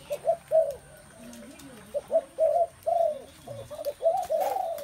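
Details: Low hooting spotted dove calls in uneven clusters of two or three notes, with fainter background calls between bursts.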